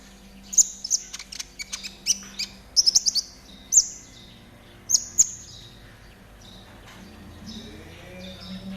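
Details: Spotted konin, a caged songbird, singing as training material: bright high chirps and sharp doubled notes in a quick cluster, then a few spaced whistles before fading to quiet with faint low noise.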